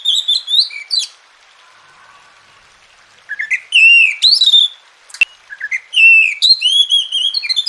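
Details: Oriental magpie-robin singing melodic whistled phrases, used to coax silent birds to sing. Rich upswept and level notes come in fast clusters around a quiet gap, with a brief click midway.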